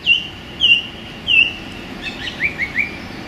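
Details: Song thrush singing in a London park on a sunny January day: one loud whistled phrase repeated three times, then a short run of three quick upslurred notes, against faint distant traffic noise.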